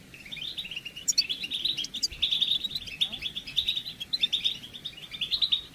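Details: Lively European goldfinch song of mating and readiness, intended to bring a male out of moult silence: continuous, fast, tinkling chatter of high notes with occasional sharp squeaks, over a constant background hiss.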